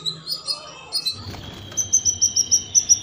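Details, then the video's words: Canary in breeding condition, singing to stimulate mating: scattered high chirps, then a brisk series of short, bright notes repeated about three times a second, with faint low hum underneath. "suara kenari birahi minta kawin"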